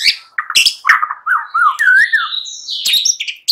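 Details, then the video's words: Shama song for luring a bird in the morning: dense, varied phrases mixing sharp clicks, high squeaky notes and fluid looping whistles, nearly continuous across the stretch. "Hitungan DETIK SAJA Jadikan murai PAGI HARI Terpikat NGEPLONG dan GACOR"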